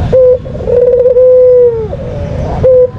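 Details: White dove giving a lure call: a long, steady mid-pitched coo held for about a second and a quarter, framed by short clipped coos before and after, in a quiet setting.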